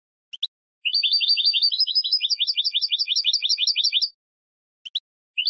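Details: Goldfinch singing: a couple of short high chips, then a three-second run of rapid paired chirps, roughly three per second, rising slightly in the middle, with more isolated chips after a pause.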